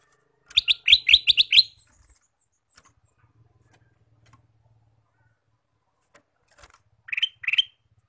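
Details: Ruby-throated bulbul, a male in full song throughout the day, gives a rapid string of six loud, sharp chirps. Near-silence with faint ticking follows, then two more ringing chirps after a pause.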